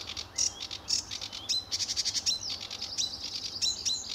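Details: Early morning song of a sedge warbler at RSPB Fowlmere in July 2013: scratchy, buzzing phrases mixed with quick upward-sweeping whistles, delivered in an uneven rush.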